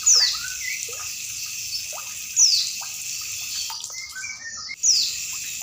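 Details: Kept female Oriental white-eye, thin descending whistles repeated roughly every two and a half seconds against continuous running, dripping water. The call is meant to rouse caged birds.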